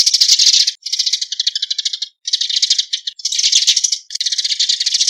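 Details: Eurasian tree sparrow calling to gather the flock: dense, rapid, high chattering chirps in bursts of about a second, separated by brief gaps, with no other background sound.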